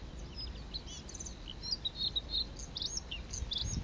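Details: A bluethroat sings a rapid, varied run of high chirps, trills and twanging notes in April 2017 at Saint-Étienne-de-Montluc, France, with a steady high insect-like hiss and low wind rumble underneath.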